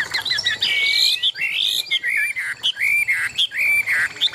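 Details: Caged Chinese hwamei singing strongly, a bird kept for competition singing: loud run of slurred whistled phrases, high and wavering, with short rising and falling notes in quick succession and brief gaps.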